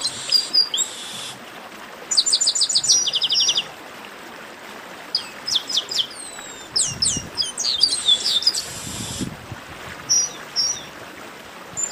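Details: Several chestnut-capped blackbirds in a warm-up chorus trade rapid trills of stacked high notes, long sliding whistles and harsh buzzy bursts, with brief gaps of quiet hiss between phrases over twelve seconds.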